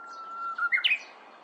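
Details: A restless Korean bush warbler moving about in bamboo gives a long, steady pure whistle, then a quick burst of higher, rising notes.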